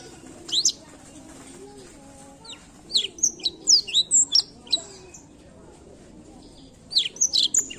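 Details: Blackthroat song used to prompt other birds to sing: a short high chirp, silence, then a two-second run of quick whistled and twittered notes, and a final brief burst of high chirps.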